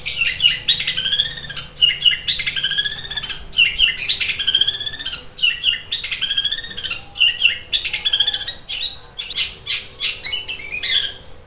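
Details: Cendet (long-tailed shrike) in fighting song, likened to a sewing machine, sharp and intense: dense run of harsh, scratchy chattering notes with rapid buzzy trills and squeaky mimicked phrases, nearly continuous, with brief pauses; faint steady hum beneath.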